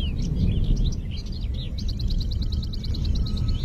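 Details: Wild parakeets (betet) from a rare population in Indonesia chatter: quick, high chirping notes, then a fast even run of about a dozen clipped calls, over a heavy low rumble of wind.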